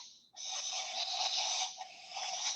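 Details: Barn owl giving a recorded hissing call, a sound made especially by young birds: a harsh, breathy, steady hiss of noise with one short break near the start and another in the middle, lasting over two seconds.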